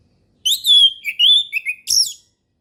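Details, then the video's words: Orange-headed thrush singing in the relaxed ngeplong style, used as a lure for young birds learning to sing: a quick run of loud, high, sweet whistled phrases, slurred downward then rising, ending with a sharp upslurred note, clean background. "SUARA HUTAN ANIS MERAH NGEPLONG SANTAI"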